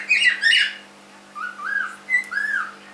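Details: Pet cockatiel aged three months gives two harsh, raspy squawks, then after a pause three softer, smoother whistled notes that swell and dip, over a constant low room hum.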